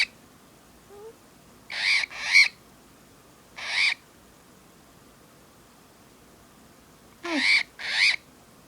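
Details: A pet cockatiel growls at its owner while biting at them and standing on an iPod: short, harsh, hissing growls in separate bursts a second or more apart.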